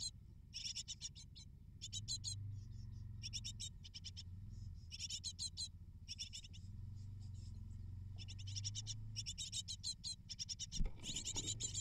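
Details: Eight great tit nestlings begging as parents bring prey to the nest: bursts of harsh, rapid, high-pitched chirps every second or two, separated by short pauses, over a steady low hum, with a thump near the end.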